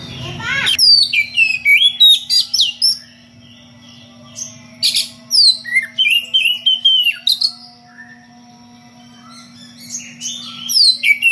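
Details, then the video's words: Oriental magpie-robin (kacer) delivering loud ngeplong song with unusual variations to call a rival: dense volleys of sharp whistles, slurred notes and chips, broken by a short quiet pause, over a steady hum. "SUARA KACER NGEPLONG MEMANGGIL LAWAN DENGAN VARIASI SUARA ANEH"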